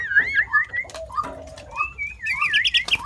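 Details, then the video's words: Short burst from a sooty-headed bulbul known for copying more than five bird species: wavering whistled notes sliding up and down, then a higher fluttering phrase ending in sharp chips. "เสียงนกปรอดหัวเขม่า นกแทด เลียนเสียงนกได้มากกว่า 5 ชนิด"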